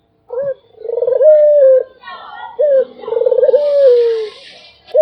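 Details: Barbary dove repeating its coo: short rising note, pulsed trill, then a long descending tone, three phrases in a row with some faint hissing noise late on.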